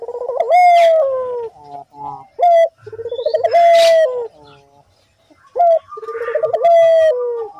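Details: Barbary dove, an energetic, constantly calling bird, in a recording used to lure other doves into calling: three rolling, wavering coos, each ending in a steady held note, with short clipped notes between them.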